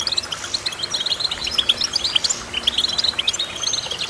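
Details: Lively goldfinch chirping, clear bell-like high notes delivered in rapid strings, loud and crisp over a quiet background.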